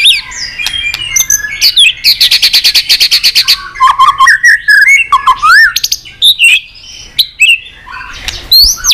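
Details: White-rumped shama, likely caged, singing excitedly in many voices while flicking its tail: varied whistles, sweeping slurs and a fast buzzy trill of rapid repeated notes, then rising whistled phrases.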